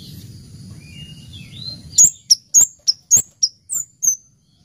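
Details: Actively singing kemade (orange-headed thrush) in cabe-cabean style: faint rising whistles, then a rapid series of about eight piercing high chirps at steady short intervals, each with a brief downward slur.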